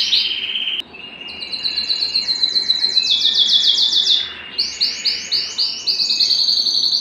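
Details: Home canary singing while excited and seeking to mate: short whistle, then long fast trill of repeated notes, a short gap, and a second rapid trill of rhythmic chirps.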